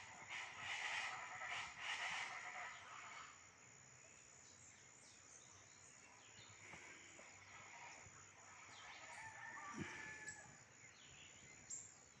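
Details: Chachalacas (guacharacas) at dawn in the richly vegetated vereda La Clavellina, Jamundí, Colombia, call in a loud, harsh, rhythmic chorus for three seconds, then fade to softer scattered calls over a background of other birds.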